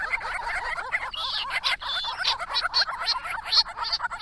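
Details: Grey-crowned babblers, a resident family group in Victoria, Australia, visiting water in hot weather between January and April, drinking, bathing and calling to each other: loud, dense, rapid chattering of harsh, bubbly notes, several birds overlapping continuously.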